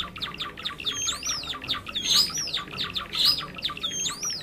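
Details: Java sparrow calls used as a trapping lure; dense, busy chirping from several birds, rapid high chips layered with clear upward-swooping whistles recurring about every second.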